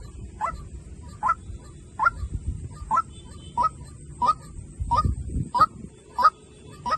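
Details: White-breasted waterhen decoy call: a series of about ten sharp, short, mid-pitched notes repeated roughly every two-thirds of a second, steady and insistent, over a low rumbling background hum.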